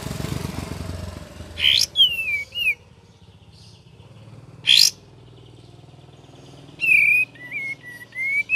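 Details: Cream-vented bulbul singing in gacor and ngeriwik variation over a steady low rumbling background: falling whistles after a rustle, then a string of short wavering whistled notes near the end.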